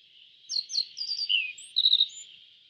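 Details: Yellow bunting giving a short, rapid phrase of high, sharp chirps and slurred notes, with one lower descending note near the middle. A constant high-pitched buzz, like insects, runs underneath.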